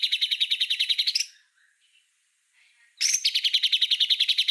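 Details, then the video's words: White-rumped shama master song for tutoring other songbirds, in a rapid, evenly pulsed chatter of about three notes a second. A near-silent gap follows with a few soft notes, then the harsh chatter resumes. "Suara Masteran Murai Batu Full Tembakan"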